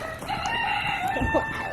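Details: A rooster at a pumpkin farm's animal area crows in a long, drawn-out, strained note that holds steady in pitch, over soft farmyard background noise.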